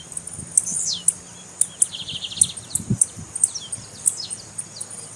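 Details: A female tiziu, or Blue-black grassquit, calling to excite males raised for tournaments. High clipped chips and short descending whistled notes repeat irregularly, with some low thumping handling noise and a steady background hum.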